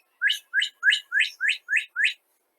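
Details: Northern cardinal song, a common early-morning sound across much of the US: seven clear, slurred whistles sweeping sharply upward, repeated about three times a second in a steady series; no other sounds.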